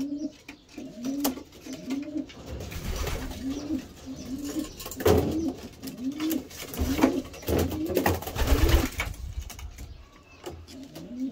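A homing pigeon gives low, throaty coos, a run of soft rising-and-falling notes repeated about once a second, over muffled thumps and rustling indoors.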